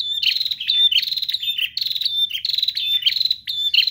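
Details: Continuous, insistent prinia song: an unbroken stream of sharp, grating high chirps and metallic buzzes lasting the whole four seconds, with faint low noise underneath.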